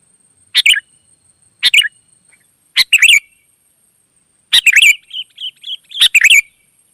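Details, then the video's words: Sooty-headed bulbul, wild, answering in lively song: short gurgling chirped phrases about a second apart, then a longer run of soft wavering whistles between louder bubbly bursts. "suara burung gacor kutilang liar auto nyaut"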